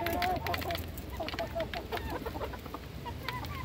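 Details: Chickens being fed, a flock murmuring with quick wavering clucks that fade after the first second into scattered soft notes over a low hum.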